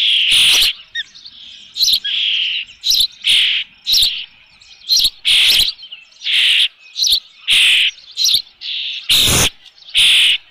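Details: Osprey on a nest with a fish, recorded by nest camera on 3 June 2018 around 5 PM; insistent high, piercing whistled calls repeated about every half second to second, with sharp broadband clicks.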